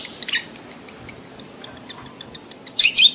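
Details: Shrill screeching from a lovebird in breeding heat, with harsh bursts at the start and end and faint rapid high clicks filling the gap between.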